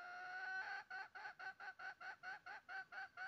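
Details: Red junglefowl heard during trapping on 20 January 2023: a steady run of short, nasal clucking notes repeated about twice per second, following a longer sustained note at the start.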